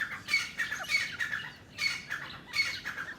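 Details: Grey francolin (teetar) calling: harsh, squawky bursts rising and falling, repeated in a loose series about every half to one second, over a steady background hiss.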